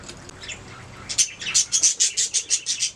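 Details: Budgies chirping: soft chatter at first, then a run of about a dozen sharp, high chirps in even rhythm, roughly five per second.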